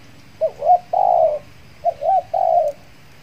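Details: Spotted dove kept as a decoy for trapping wild doves, back in use after moulting, cooing in two phrases, each a quick rising note then a longer steady coo, against a faint low hum.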